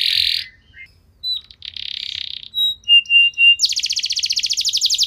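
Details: Canary lure song meant to draw song from other canaries: buzzy bursts and short flat whistles with pauses, followed by a rapid, pulsing high trill.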